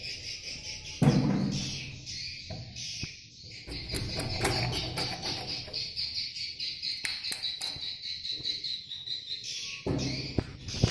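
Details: Swiftlets at a nesting place give a steady, high, buzzing twitter that barely pauses, broken by loud knocks, clicks and low rumbling noise throughout.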